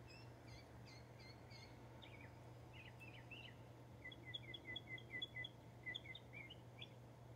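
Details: Wild Northern mockingbird in Texas, a bird that chases hawks from its territory, singing sharp chirped notes that change to a run of quick repeated down-slurred phrases, with a constant low hum behind.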